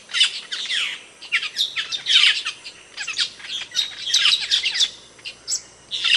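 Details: Camperling song for a cage-bird training track: harsh, scratchy chirps and squawky notes tumbling in dense, uneven bursts across the whole clip.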